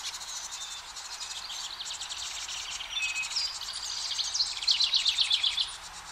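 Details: Parent house wrens coaxing the last two of five nestlings out of a nest box. Soft scratchy notes build into a loud, rapid, even trill of about ten high notes near the end.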